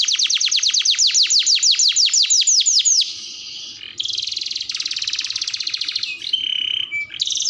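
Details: Vigorously singing canary as tutor and lure song: a string of repeated descending notes, a brief hush, then a buzzy rolling trill followed by two pure level whistles.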